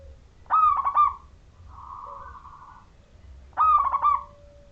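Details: Zebra dove of the local Majapahit type, clear-voiced and used to set other zebra doves singing: two loud bursts of stuttering, trilled coos three seconds apart, with a softer buzzy phrase between them.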